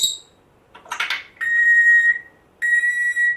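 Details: Pet African grey parrot a month after rescue, known to copy a squeaky door beside its cage, gives a noisy burst then two long, steady, high whistled squeaks separated by a short gap.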